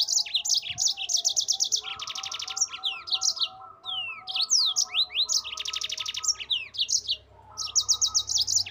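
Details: Yellow-fronted canary, a cage-bird master recording in the gacor ngerol style used to train other birds: high twittering phrases, buzzy fast trills and rising slurred whistles run together almost without pause, with a faint steady hum underneath.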